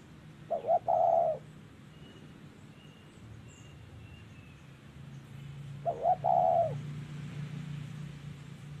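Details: Spotted dove cooing in 'thổ' voice during decoy trapping in Vietnam, 2023. Two separate hollow phrases, each short notes leading into a longer coo, come about five seconds apart with quiet between. Faint high chirps and low rumble in the background.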